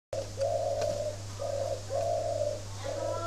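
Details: Spotted dove with an unusual voice, a kept bird from northern Vietnam near Ba Vì, Hanoi, giving low hollow coos: one short note, then long drawn notes in a steady series, over a constant low electrical hum.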